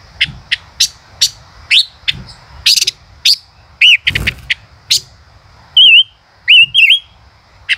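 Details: Singing male common rosefinch: rapid high chips and trills give way to a burst of wavy whistled notes and repeated warbling phrases toward the end, with a faint constant high hum.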